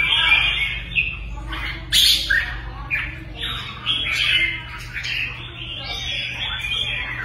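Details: Red-whiskered bulbul kept as a caged contest songbird, singing a lively run of rolling, slurred whistled phrases that rise and fall, with a faint low hum underneath.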